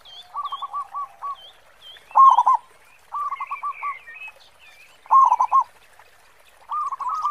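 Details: Active local zebra dove singing in 'khong' style: clipped coo series and loud stuttering bursts repeat every two to three seconds, while curling high chirps and whistles of small birds sound above.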